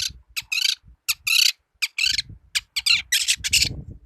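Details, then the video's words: Energetic song of a young long-tailed shrike: dense, raspy, high chattering bursts packed closely together, with short gaps between phrases and some low background noise beneath. "BURUNG CENDET MUDA/TROTOL GACOR"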